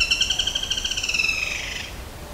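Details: Lesser golden woodpecker, a single bird, giving a fast rattling call of about sixteen sharp, high notes in under two seconds, starting loud and gradually fading and slowing toward the end, over a quiet background.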